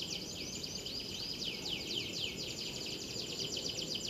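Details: Canary singing at a bird-singing competition: a fast, continuous run of high chirping trills repeated about four times a second, set against steady low background noise.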